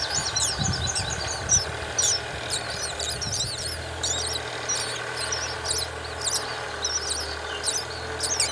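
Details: Myna feeding its young a spider; thin, high squeaky chirps repeat in short bursts through the clip over a steady low rumble.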